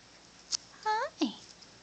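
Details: A one-year-old female pet Bare-eyed Cockatoo mimics the word "hi" in a small room. A short click is followed by a rising-then-dipping harmonic syllable and a brief falling voiced note.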